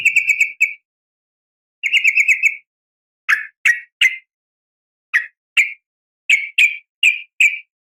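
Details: Sooty-headed bulbul female calling to males at dawn: two short rattling bursts of rapid, even notes, followed by separate sharp downslurred chirps spaced under a second apart.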